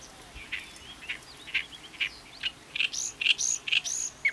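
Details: An Oriental reed warbler in Ishikawa, Japan, sings its characteristic "gyo-gyo-shi" song: a fast, harsh series of grating, chattering notes, about two a second, growing louder and higher toward the end.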